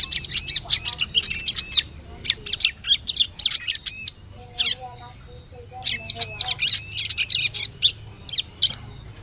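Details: Bar-winged prinia calling for use as a forest lure: paired high arched whistles and bursts of sharp chips, roughly three notes per second, pausing briefly before another run of arched notes.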